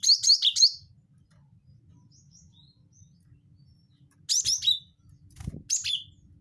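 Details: Gelatik batu wingko, a cinereous tit, giving a bird-luring call: quick series of bright, high-pitched chips in three bursts, the first of five notes, with a soft thump partway through.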